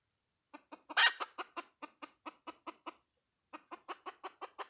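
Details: A hen gives a series of crisp clucks opening with one loud, rough burst. The clucks pause briefly and then resume in a steady rhythm.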